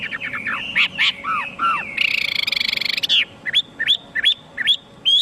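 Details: Song of a Chinese hwamei mixing varied falling whistles, a second-long buzzy rattling phrase, then a string of sharp upslurred whistles repeated roughly every half second; a faint hum lingers underneath.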